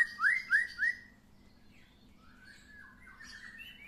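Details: White-rumped shama after its first moult, sunbathing, gives three loud rising whistled notes in quick succession, followed by soft, faint warbling phrases at lower volume.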